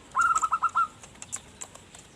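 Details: Zebra dove singing well, the recording used as a lure for wild birds: one quick phrase of about six short, bubbling cooing notes in under a second, then only faint ticks and clicks.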